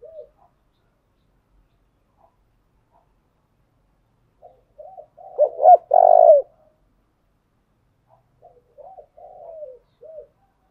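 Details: Spotted dove decoy calling to fire up newly caught birds: scattered soft coos build into a loud phrase of short hooked notes and a long buzzy coo, followed by quieter coos.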